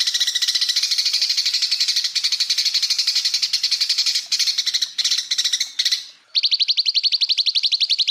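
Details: Greater green leafbird giving full bursts of song for training other birds: dense, fast chattering notes in stuttering runs, a short pause, then a clean, rapid trill of evenly spaced high notes.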